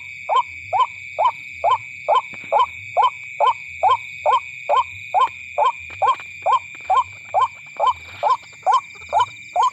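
A White-breasted waterhen repeats a hoarse, croaking note about twice a second in a steady, monotonous series. A constant high insect-like whine runs underneath.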